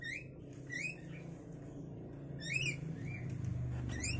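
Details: Javan myna chicks, five days old, in a cage while both parents take turns feeding them insects. Clear upward-slurred chirps come in quick irregular series, several in a row, over a low rumbling background.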